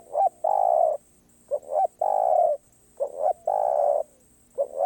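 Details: Spotted dove singing in the karom pa roi song style: a pair of short rising notes followed by a long, even, hoarse coo, with the phrase repeated about every 1.6 seconds against a quiet background.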